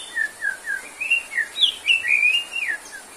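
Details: White-rumped shama in full song, offered as therapy for shamas low on stamina: a run of clear, slurred whistles, each note dipping or rising, delivered in quick succession with a brighter warbled phrase at the end.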